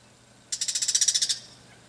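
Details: Bull-headed shrike in a garden in the evening, warning of a nearby cat and then threatening the person filming; a rapid burst of about twelve sharp, high, flint-striking clicks run together in under a second, then quiet.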